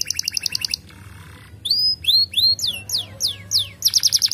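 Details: Canary song used to encourage other birds to sing; short pulsed trill, a soft buzzy pause, loud upslurred whistles, then descending swept notes ending in a quick trill.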